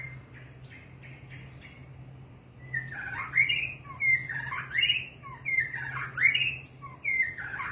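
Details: Long-tailed murai batu, the white-rumped shama, starts with a few short repeated notes, then bursts into rich phrases of whistles, rapid trills and sharp upslurs repeated roughly every second, over a faint steady low hum.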